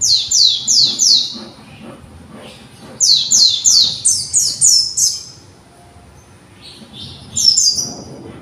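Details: A conservation-bred young white-eye rehearses its developing song. It gives a brief run of sharp, high downslurs, then a longer string of about eight similar notes, and ends with a single short high phrase after a pause.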